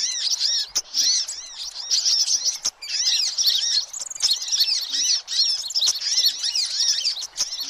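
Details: Sunbirds chatter in a dense, noisy stream of high, thin, twittering chirps, with several birds overlapping almost without pause, a recording used as a lure for all sunbird species.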